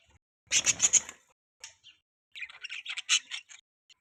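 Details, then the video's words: Budgies make a harsh squawking burst followed by a run of quick chattering chirps. "Beautiful Budgies Chirping Sound"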